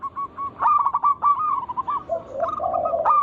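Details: Local native zebra doves singing vigorously, used as a lure to stimulate other doves to sing: rapid runs of short clipped cooing notes, interrupted by a lower, rolling, purring phrase, then the quick note series resumes.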